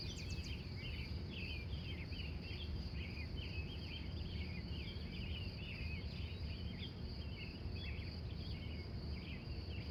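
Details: Early-morning wild birds near Glendive, Montana, USA, recorded from 3:45 a.m.: a busy run of chattering, twittering notes, one after another, over a continuous high insect-like drone and low background rumble.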